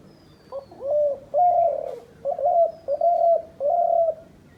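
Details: A hunter's decoy dove coos in a phrase of five or six low notes, a long swelling opening coo followed by shorter, regularly repeated ones.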